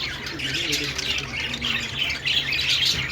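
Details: Budgerigar warbling: a brief, dense run of scratchy high chatter and squeaky trills, growing brighter toward the end, over a steady low hum.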